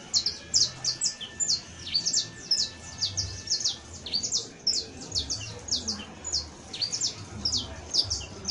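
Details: Saffron finch singing a long, rapid series of high, sharp down-slurred chirps, delivered in quick bursts of two or three notes almost without pause, with faint low background hum.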